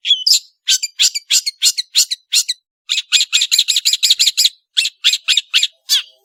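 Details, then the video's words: Long-tailed shrike (cendet) singing vigorously: a fast run of harsh, scratchy chirps, roughly three per second, broken by short pauses, with no other sounds. "BURUNG CENDET GACOR"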